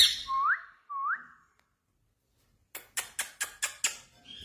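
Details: Pet Indian ringneck (rose-ringed parakeet) talking, mimicking speech in Urdu/Hindi: two quick rising whistles, then a rapid run of six harsh, clipped speech-like syllables.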